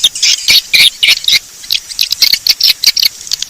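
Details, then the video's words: Bangkit 18 swiftlet lure call used to attract swiftlets: bright, sharp chirps in quick pulsed bursts about four a second, with a short pause midway before the chattering resumes. "Suara Panggil Walet"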